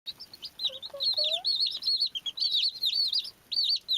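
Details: Baby chicks chirping: a dense stream of high, shrill peeps, many rising and falling in quick succession, from several chicks calling together, with a few lower notes near the start.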